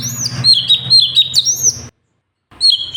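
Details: Sooty-headed bulbul (cucak cungkok) singing 'gacor' for a bird-tutoring ('masteran') recording: a quick string of bright, high whistled notes with sharp upward flicks, then a cut to silence before the song resumes.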